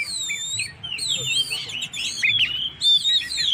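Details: Oriental magpie-robin in strong song to provoke stressed birds: long high whistled notes alternating with quick downslurred phrases and sharp chirps, nearly continuous.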